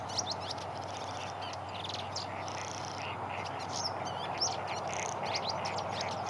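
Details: Welcome swallow singing: a run of quick, high twittering chirps and short buzzy trills, some rising or falling, over a steady low rumbling background noise.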